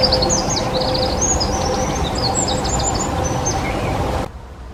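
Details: Eurasian wren male in song, Czech Republic: a hurried stream of sharp, high chips and short trills, continuous for about four seconds before cutting off, with a low constant hum underneath.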